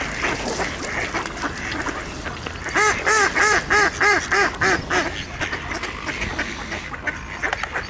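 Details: Amid a winter feeding frenzy at an ice hole, shared with Eurasian coots and swans, one mallard calls a run of about eight loud, evenly spaced harsh quacks, roughly three per second, over a chattering flock and splashing water.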